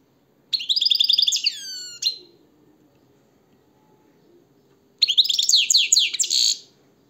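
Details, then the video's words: European goldfinch singing, likely kept indoors: two loud bursts of rapid twittering and tinkling notes high in pitch, the first ending in slurred descending whistles, separated by a few seconds of quiet with faint low room hum. "SAKA KUŞU ÖTÜMÜ"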